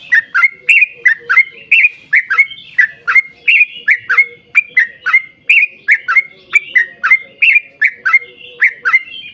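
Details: Energetic 'gacor' yellow-vented bulbul song meant to prompt other bulbuls into singing: a long unbroken string of loud liquid chirps, roughly two or three per second, each note dipping then rising, steady throughout.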